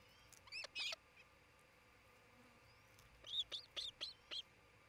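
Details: Nest-cam recording of an osprey pair's nest in Charlo, Montana, 27 June 2018; two loud piercing chirps, then after a quiet gap a run of five high whistled, slightly upslurred calls, with steady low hiss behind.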